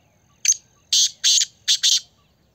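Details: Black francolin, known locally as kala teetar, in Pakistan: five harsh, grating, buzzy notes, a short opener followed by two long rasping notes and a quick closing pair, all ringing high above a quiet background.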